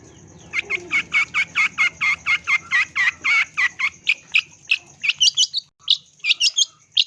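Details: Long-tailed shrike singing vigorously on a lure track: a steady series of harsh, buzzy notes about three per second, then higher, sharper chirps toward the end, with faint background rumble.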